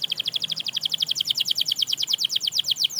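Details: A canary, singing to rouse other canaries into song, delivers a steady rapid trill of identical high syllables, about eight per second, throughout.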